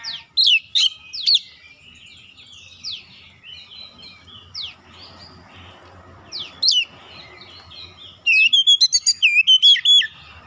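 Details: Magpie-robin song used as a lure to provoke other birds to sing: loud whistled notes sweeping down, then a fast run of short rising and falling whistles near the end, with quieter twittering between.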